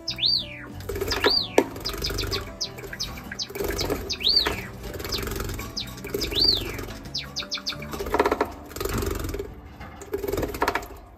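Java sparrow giving short, bright chirps that rise and fall, about one every second, with low household rumble behind.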